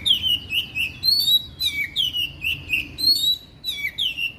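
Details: Oriental magpie-robin (kacer) song for training and therapy morning and evening: fluty whistled phrases repeated about twice a second, rising and falling, with brief higher twitters and a faint low background hum.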